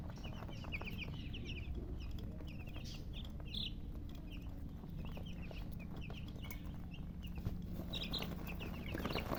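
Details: Chicks chirping in a group, scattered high short peeps coming in bursts, partly masked by rustling, clicks and a continuous low hum.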